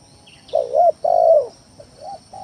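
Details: Spotted dove calling as a lure to draw rivals into song: a wavering double coo then a long mellow coo, followed by softer short coos, against a steady high hum.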